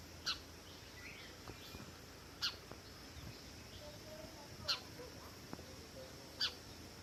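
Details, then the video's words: House sparrow chirping: four short, bright, sharp chirps, each with a faint lower echo tone, spaced roughly two seconds apart against a quiet background hiss. "House sparrow chirping sounds"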